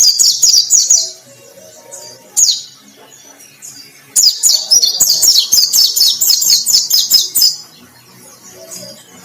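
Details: White-breasted white-eye singing in vigorous, energetic form, described as battle-ready: high, fast twittering phrases of sweet descending chirps, with a long continuous run in the middle and brief pauses between bursts.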